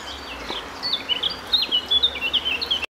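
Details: Eurasian nuthatch (Sitta europaea), call.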